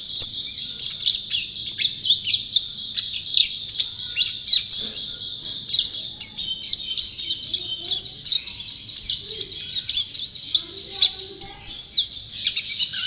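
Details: Over thirteen seconds, a champion gacor white-eye sings a sustained, high, frantic twittering of short slurred notes and trills, with steady energy throughout.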